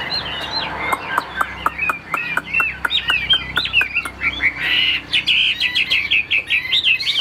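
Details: Caged Chinese hwamei, called Tam Hoàng type, noted for steady singing, a calm temperament and an even, pleasing voice: loud, varied whistled phrases with rapid runs of sharp downslurred notes, then a burst of harsher, buzzy rolling notes near the end.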